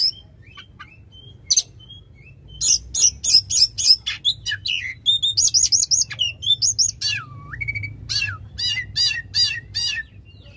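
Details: Loud, long-phrased oriental magpie-robin song for coaxing a bird that has stopped singing: thin whistles open, then quick runs of sharp chirps, a buzzy trill, a swooping dipped whistle and rapid repeated notes.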